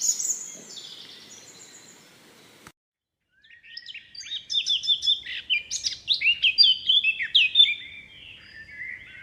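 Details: High bird chirps open the recording, then a brief silence, followed by a lively, dense stream of short, sharp chirps and twitters rising in loudness.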